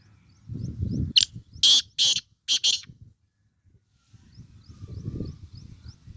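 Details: Sindhi black francolin giving its call: a rapid sequence of grating, scratchy bursts after a low rumble, followed by quiet and more low background rumbling.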